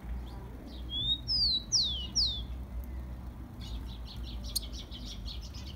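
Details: Warm-up song of the rufous-collared sparrow (tico-tico) for exciting captive birds: a series of loud, clean whistles slurring downward, followed after a pause by a fast, thin, high trill of short notes.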